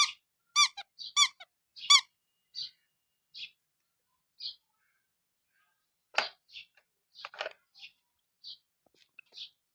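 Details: Colourful chicks kept with heat and played with using toys: a burst of rapid, ringing calls, then scattered short, high single peeps through a quiet room.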